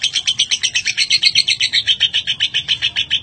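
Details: A lovebird in extended ngekek, the long chatter used to train other birds, delivers quick rhythmic harsh notes, roughly four per second, evenly spaced.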